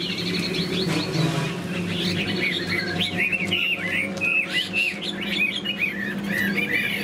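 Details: Caged Chinese hwamei with a fanned tail and wing-flicking display sings with laughingthrush-style endings. Bright slurred whistles sweep up and down in quick varied phrases over a low droning hum.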